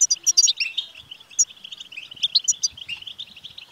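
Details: Energetic betbta chatter of a European goldfinch, intended to stimulate a male to sing: quick bright twitters opening with a cluster of high ringing notes, then a fluid run of slurred chirps.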